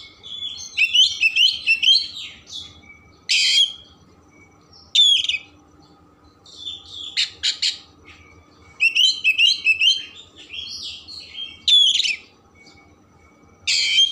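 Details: Oriental magpie-robin singing a rich, varied song meant to excite emotion and tail opening in other birds: bursts of loud mixed whistles, trills and harsh rasps separated by short pauses.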